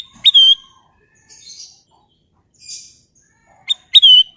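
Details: Golden bulbul repeating its phrase twice: a high sharp note, a click and a pure downward-sliding whistle. Soft breathy chirps sit between the phrases in a quiet setting.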